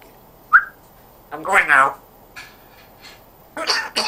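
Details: Pet African grey parrot that talks in a Yorkshire accent: a short clear whistle, then a harmonic, speech-like phrase, then a few short harsh bursts. Quiet room in between.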